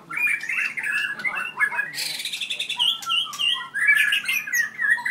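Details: Very aggressive four-year-old white-rumped shama with a 7.6-inch tail, from Merapoh, Pahang; varied rich song of whistled phrases, slurred notes and rapid chattery bursts, continuous and loud, in a small room.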